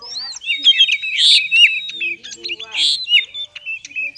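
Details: Caged Oriental magpie-robin singing in the erratic konslet style, used to prompt lazy birds to sing: loud whistled notes and rapid scratchy chatter, with sweeping high phrases around the middle and again near the end.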